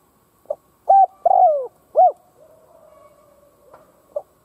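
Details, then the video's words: Decoy spotted dove cooing to incite other doves: a faint introductory note, then a level coo, a long falling coo and a short arched coo, followed by a quiet gap and one soft note. "Cu mồi gáy kích bổi chuẩn / Chim cu gáy kích bổi nghe là gáy / Cu gáy kích bổi nhanh căng lửa mới"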